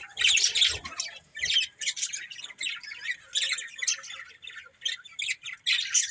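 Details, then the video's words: Budgerigar breeding pair with their family, chattering in rapid, scratchy, high bursts repeated roughly every half second to second, with a few squawk-like notes near the start. "Beautiful Budgies Chirping Sounds"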